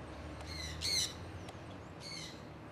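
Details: Conures from an owner's flock flying outdoors in Iowa, early spring 2003: one loud grating squawk, then a fainter second squawk a second later, against soft background noise.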